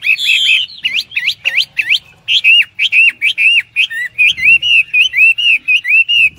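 A Hwamei sings loud, clear whistles: a quick run of rising slurred notes, then a steady string of ringing down-slurred phrases, about three each second.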